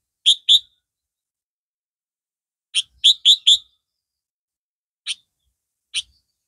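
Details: Captive red-vented Sooty-headed Bulbul singing, compared with the yellow-vented form and described as clearer and louder. Short, bright chirped notes in scattered bursts: a pair, a rapid run of four, then two single notes, against a silent background.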